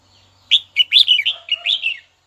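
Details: Caged red-whiskered bulbul calling a rival with one continuous, rich warbled phrase of about six liquid, rising and falling notes lasting around a second and a half.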